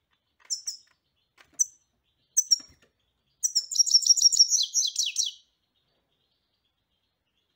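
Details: European goldfinch song, opening with a few spaced sharp chirps, then a fast liquid twitter of high notes and a short descending trill; quiet background otherwise.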